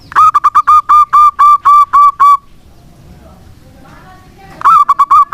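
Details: Zebra dove of the local type singing vigorously as a lure for doves gone quiet: a long phrase of quick then steady ringing coos, a pause with faint sounds, and a new phrase beginning at the end.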